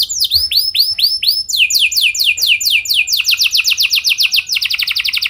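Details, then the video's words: Canary song as a training lure: looping curved whistles followed by series of steeply falling sweeps that speed into a rapid rolling trill. "Pancingan Burung Kenari Biar Gacor Ngeroll Panjang! Pasti Nyaut Kenari Manasaja"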